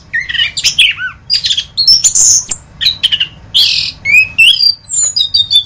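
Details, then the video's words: Varied song of an orange-headed thrush: bright whistles that rise and fall, interleaved with harsh chattering bursts and high thin notes, delivered almost without pause. "Masteran Anis Kembang"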